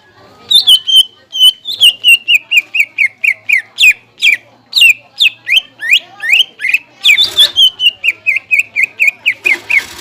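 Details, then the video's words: Greater green leafbird song used as a lure for young and learning leafbirds: long steady runs of sharp, downward-slurred whistles repeated about three times a second, with a faint low hum behind. "PANCINGAN SUARA CUCAK IJO BUAT MASTERAN DAN CUCAK IJO BAHAN"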